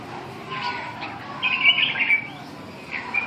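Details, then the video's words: Red-whiskered bulbul giving a short warbled, chirpy phrase in the middle, with brief softer notes before and a final quick note near the end, over low background noise. "Kênh về chim Chào mào"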